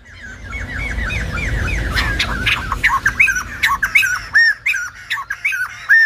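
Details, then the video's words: Silver-headed babbler (Khướu Đầu Bạc) singing in a chattering stream of short, arched, squawky notes repeated rapidly, growing louder and more varied in the second half; a low rumbling background fills the first few seconds. "Khướu Đầu Bạc / Silver -headed Babbler / Singibg like aLumba Dancer"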